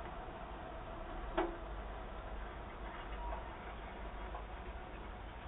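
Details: A single sharp tick over a low, steady background hum, with no animal voices.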